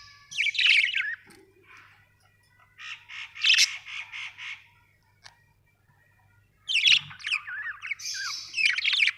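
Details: Several budgerigars chattering in scratchy warbled bursts separated by short pauses, with a faint low hum in the background.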